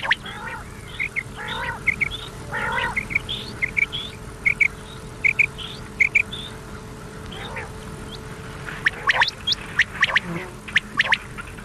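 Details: Common quail calls from an old cassette recording meant to be played at night until morning, given as short sharp notes repeated in quick runs, with rougher harmonic calls and a steady background hum.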